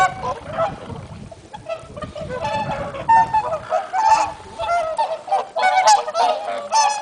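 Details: Swans on a still, sunny, warm late-autumn day give scattered nasal honks that build in number over the seconds, over a soft low rumble of background noise.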